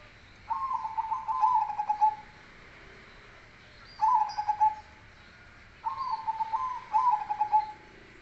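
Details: Zebra dove, cemani Kolbuntet type, with a deep bass song: three phrases of rapid, rippling, bubbling coo notes, each lasting one to two seconds, separated by short pauses.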